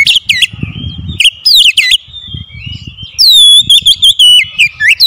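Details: Oriental magpie-robin lure song for making quiet magpie-robins sing, with rapid scratchy notes and loud swooping whistles, a drawn-out thinner phrase in the middle, and low background rumbling.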